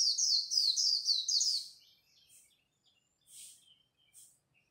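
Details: Japanese white-eye competing in song at dawn: nearly two seconds of rapid, high, bright whistled notes, each sliding downward, then quieter thin chirps trailing off.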